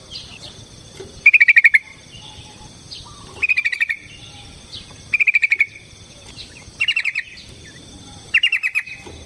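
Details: Yellow-vented bulbul (trucukan) giving a fighting lure song: short, bubbling, chattering phrases of rapid notes repeated about every two seconds, five phrases in total, with faint softer notes between them.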